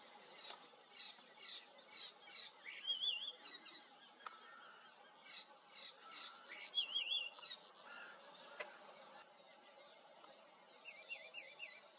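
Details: An icterine warbler, a regular breeding bird in southwest Mecklenburg, sings a varied, high-pitched medley that includes imitations of other birds: bursts of harsh notes about four per second, slurred whistles and quick trilled phrases.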